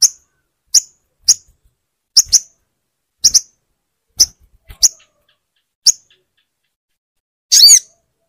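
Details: Crimson sunbird sounds used as training to get a silent bird singing: sharp, very high single chips spaced irregularly about half a second to a second apart, ending in a short buzzy, warbling burst.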